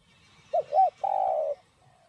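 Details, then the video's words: Kept spotted dove in 'giọng đồng' voice, urging coo for stimulating decoy birds. A clean phrase of two brief arched notes, then a sustained coo of about half a second against a quiet background. "Cu Gáy Giọng Đồng Chuẩn GÁY THÚC GÙ Kích Mồi Tập Bổi Ức Chế.Tiếng Cu Kích Trống"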